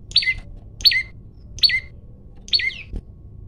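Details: Male olive-backed tailorbird singing persistently while challenging a rival to fight, recorded on a phone: four sharp, high notes, each a quick downward-sweeping chip, spaced about every 0.8 seconds over faint low background hum.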